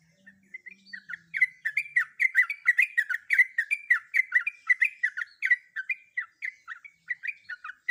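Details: A breeding female sooty-headed bulbul calls for a male in a rapid, steady chatter of clipped, upslurred whistles, about four notes a second. The notes stay even in pitch and loudness and carry on without pause.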